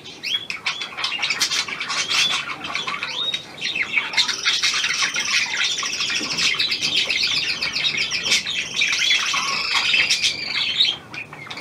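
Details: Indoor hand-tame Australian pied budgerigar, a new bird, warbling at length: fast rattling chatter, clicks and whistled upslurs running continuously with brief pauses.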